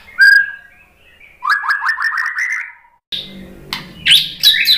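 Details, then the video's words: White-rumped shama answering a lure: a pure whistle, then a quick series of rising whistled notes, followed by harsher, scratchy high notes over a low background hum. "MURAI BATU jadi kepancing NYAUT ikut GACOR"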